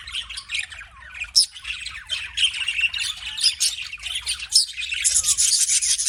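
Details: Budgies chatter nonstop in rapid, raspy high chirps and buzzy warbled notes. The sound grows thicker and louder toward the end, with a sharp squeak standing out now and then.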